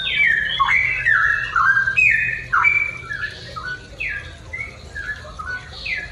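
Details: Pet-bird training recording of a straw-headed bulbul's 'ropel' song at morning: strong opening of rich, bubbling whistled phrases with rapid pitch slides, then a quieter tail of shorter notes, steady low hum underneath.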